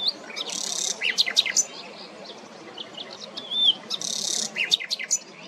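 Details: Common nightingale at Parque Regional de las Islillas on 26 April 2024 singing two rich phrases a few seconds apart, each mixing a harsh buzzy burst with sharp whistles and quick chirps, over a soft background hiss.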